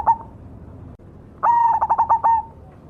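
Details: A cemani zebra dove cooing. A short soft note is followed after a pause by one full phrase: a whistled opening, then five quick throbbing pulses and a drawn-out final coo.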